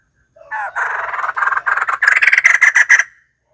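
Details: Harsh, rapid cackling from white-crested laughingthrush, a continuous laughing burst of about three seconds that grows brighter and more clipped toward the end.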